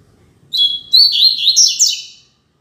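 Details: Double-collared seedeater singing the classic Tui Tui Zel Zel song, used for teaching young birds; a bright twittering phrase of high whistled and buzzy notes, rising then falling, about one and a half seconds long, on a silent background.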